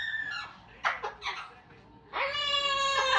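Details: Amazon parrots singing and copying opera, police sirens and Pac-Man sounds. Brief speech-like syllables lead into a sustained, strongly harmonic held tone with slight wavers, sung loudly indoors.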